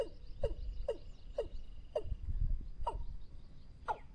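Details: Watercock lure call for trapping: a series of falling, hollow notes spaced about half a second apart, some slightly louder and longer, over a low rumble and a thin constant high hum.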